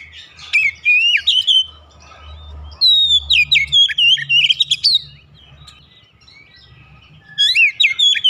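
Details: Oriental magpie-robin song, aimed at encouraging a kept bird to sing: bursts of clear, warbled whistles with sliding and twisted notes, a low rumble under the first part, and a quieter stretch before the final phrase.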